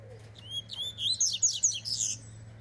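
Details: Double-collared seedeater warming up, noted as fast and spirited: a couple of thin upslurred whistles lead into a dense, rapid, high-pitched twittering phrase, over a steady low hum.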